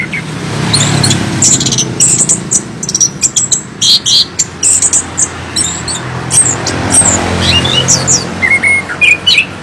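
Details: A chestnut-capped thrush (Geokichla interpres), a Southeast Asian forest songbird, gives a loud, rapid, scratchy run of high chirps and short whistled notes, over a low background rumble of traffic.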